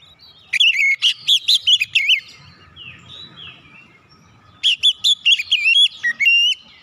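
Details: Oriental magpie-robin song used to goad other birds into singing. Two loud bursts of quick, sweet, swooping whistles, each about a second and a half long, are split by a quieter soft warbling stretch.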